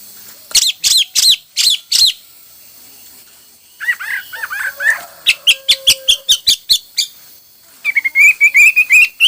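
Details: Hwamei singing in many styles: bursts of loud, quick, high whistled notes, then slurred warbling phrases, a rapid series of sharp repeated chips, and a final rising buzzy trill.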